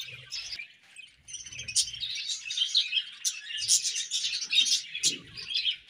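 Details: A colony of budgerigars chirping, busy overlapping chatter of high warbles and sharp chirps, with a few faint low knocks in the background.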